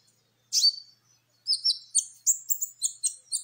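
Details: Sunbird song played to trigger other birds into singing: an opening high swept note, then a string of sharp, high-pitched chirps repeated rapidly, about three or four per second, with no background noise.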